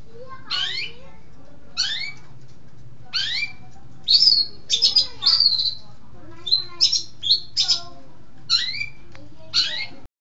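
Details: Long-tailed shrike from East Java, called clever and a keen singer: loud, downward-sweeping scratchy notes every second or so, mixed with clusters of high squeaky chirps.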